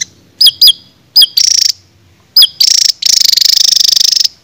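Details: Cage-bird training song of a songbird: a few clear whistled notes with upturned hooks, each followed by bursts of dense high trilling, ending in a sustained rapid rattle lasting over a second.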